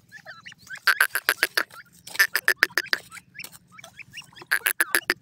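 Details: Grey francolin (teetar) calling in loud, harsh, broadband notes that come in rapid bursts of about three to four per second, with short pauses between the bursts, over a faint low hum.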